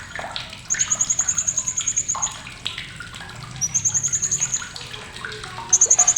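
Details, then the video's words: Blue-crowned hanging parrot, sharp chattering meant for tutoring contest birds: a long, fast, high rattle of clear ticks, a shorter second rattle after a pause and a loud final burst, all over low rustling clatter. "CRECETAN TAJAM BURUNG SRINDIT"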